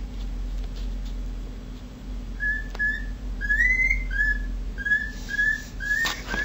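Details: Pet male cockatiel indoors doing his siren impersonation: from about 2.4 seconds a string of short, clear whistled notes, several with a quick upward sweep, follows a quiet stretch of room hum.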